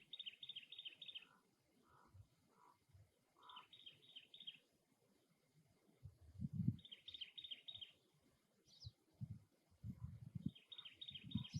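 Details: At its nest, a cactus wren delivers four bursts of rapid, grating chatter, with softer lower single notes from other birds between them and intermittent low thumping noise.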